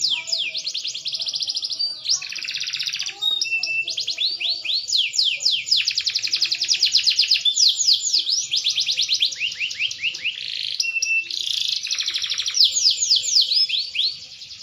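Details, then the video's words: Green canary whose song improves with maturity: a long varied performance of rapid falling sweeps, dense buzzing rolls and short clear whistles, all high-pitched and sustained. "burung kenari hijau makin dewasa wakin baik kicauan nya"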